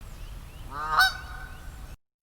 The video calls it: it's a single honk by a canada goose